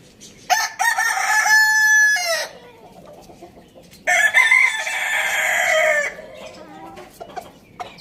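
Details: Pet rooster at Lalukhet bird market, Pakistan, crowing loudly twice: a rich, harmonic crow near two seconds long, then a second drawn-out crow after a pause, with faint chirps and clucks behind.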